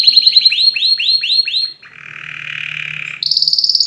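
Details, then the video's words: Canary song for playing to other birds: a run of rising, slurred whistled notes repeated about six times a second, then a steady buzzy trill lower down, ending in a fast high-pitched trill. "أقوى تغريد كناري لتسميع الطيور"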